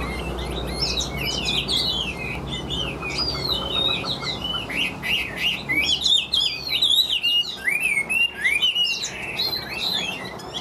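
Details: Caged Chinese hwamei, a long-tailed bird offered for sale, singing steadily and loudly: a rich run of varied whistled phrases, sweeping up and down and tumbling quickly one after another, over a low background hum.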